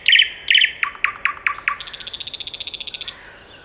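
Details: Common nightingale song, taken with a RODE VideoMicro microphone: two loud chopped notes, then five sharp descending clicks about a quarter-second apart, leading into a fast, even, high trill of about twenty pulses and a thin closing whistle.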